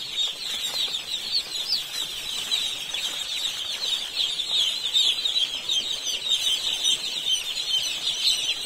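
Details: Baby chicks on an Indian poultry farm: a dense, continuous chorus of shrill, high peeps from many birds overlapping without pause, with scattered soft rustling below.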